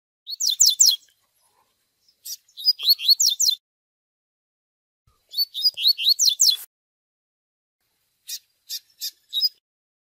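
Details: Double-collared seedeater song in the Tui Tui style, played for training, possibly a captive bird. Three bursts of fast, high, slurred whistled notes, each about a second long, come every two seconds, then four short sharp chips.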